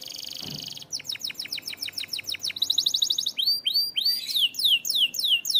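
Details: Canary song that opens with a dense buzzy trill, moves into rapid downward sweeps, then slows into spaced descending whistled notes.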